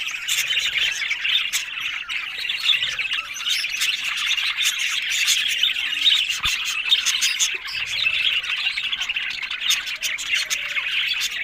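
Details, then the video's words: Budgerigars, several birds together, keeping up a dense, continuous warbling chatter of chirps, squawks and rapid twittering notes with no pauses, bright and high-pitched throughout. "Amazing Talking Happy Budgies Sounds"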